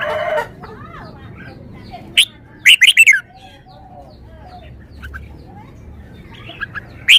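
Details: Red-whiskered bulbul kept as a songbird, showing off its song repertoire: brief whistled notes, then a bright cluster of three or four quick liquid phrases, followed by scattered soft chirps and a final sharp note.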